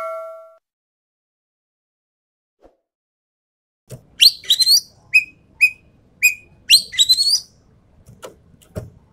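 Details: Sumatran treepie, a bird endemic to Sumatra, recorded as a lure track: after a silent start, a burst of harsh, raspy chattering notes alternates with short, clear whistled downslurs, a few repeated within about four seconds, over faint low rumble.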